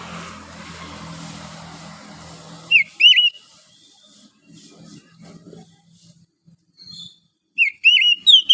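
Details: Oriental magpie-robin, wild, singing in the morning: a couple of sharp, bright whistled notes, a quiet gap with faint low murmurs, then another short whistled burst.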